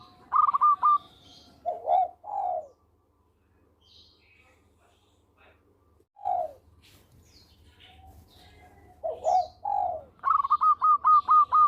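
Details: A local zebra dove (perkutut), a type used for luring birds, sings bursts of rapid, staccato, soft trilling coos with drawn-out lower coos between, over faint chirps from other birds and a low hum.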